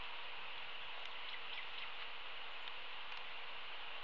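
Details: Steady hiss like rain falling on a surface, with a few faint ticks and a thin constant tone, and no animal voice.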